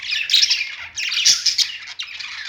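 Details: Caged budgies on a perch giving a rapid, rasping warble with squeaky whistles, one short pause midway.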